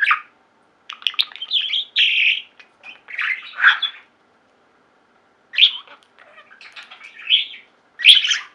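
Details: Pet budgerigars singing and chirping: separate bursts of buzzy chatter and harsh squawky chirps with clear silent gaps between them.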